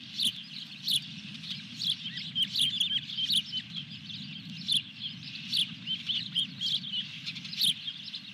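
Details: Osprey at its nest at Dunrovin Ranch on 23 June 2021, around a fish delivery. Short high chirps repeat irregularly through the clip over a steady low hum, with occasional sharp broadband clicks.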